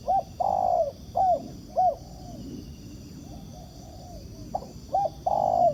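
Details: Repeated cooing of a wild spotted dove drawn in by a decoy during trapping: a long falling coo with short bouncing notes, a quieter pause, then a second phrase starting with clipped notes and another long coo.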